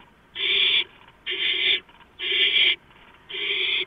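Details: Barn owl at its nest as a gopher is delivered, late night, 2 April 2015: four rasping, hiss-like screeches, each about half a second long, spaced roughly one second apart.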